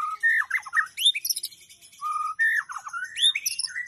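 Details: Oriental magpie-robin (Copsychus saularis), song.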